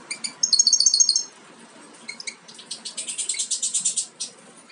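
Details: European goldfinch fledglings almost ready to jump from the nest, offspring of a Major carrier and Parva Ancestral, utter a loud fast trill of ringing high notes, a pause, then a long regular series of sharp rapid chirps.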